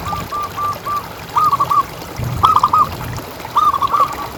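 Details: Zebra dove used as a calling lure: soft evenly spaced coos open, followed by three louder clusters of fast, rolling cooing notes about once a second.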